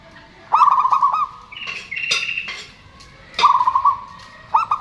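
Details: Zebra dove song from local birds, males and females calling back and forth, used to coax silent doves into singing: rolling pulsed coos open and close the clip, with a higher whistled note and sharp clicks between.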